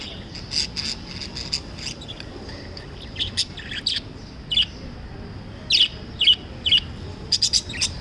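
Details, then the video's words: Lovebirds chirping: rapid, bright, high-pitched tweets at an uneven pace, roughly two per second, some in quick pairs, over faint low background noise. "Love Birds Chirping sound"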